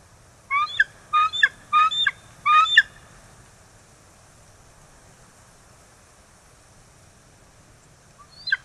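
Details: Bald eagle at the E-1 nest in Kisatchie National Forest, where a pair has just laid its first egg, 9 December 2023: four quick bursts of high, ringing chittering notes in the first three seconds, then near silence, with a faint chirp at the end.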